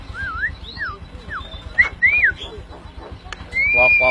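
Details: Tame pet Javan myna, singing vigorously, gives a series of clear whistled notes, some wavy and some sliding up or down, then a long steady whistle, over a low engine hum and faint voices.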